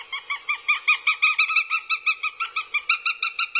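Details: Northern goshawk chicks on their nest in Abernethy, Scotland, filmed by a live nest camera in July 2022 during an aggressive spell: a steady chain of harsh, piercing, evenly repeated kek-like squeals, roughly three per second.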